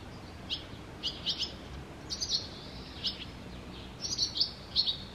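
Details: Barn swallow by the Tama River: bright, high chirps in short clusters roughly every second, some notes sliding into a brief buzzy trill, over a steady low rumble of background noise.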